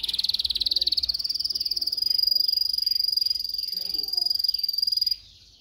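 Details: Canary singing as training for other canaries: one long, very rapid high trill, pulsing steadily for about five seconds on a level pitch, then stopping abruptly into quiet.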